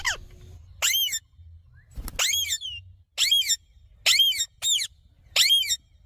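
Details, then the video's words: Green parrot producing sharp, downward-sweeping squawks repeated at irregular intervals about once a second, with a faint low rumble in the background. "Green Parrot Video। Cute Parrot Video। Talking Parrot Video।Mithu Ki Awaj।"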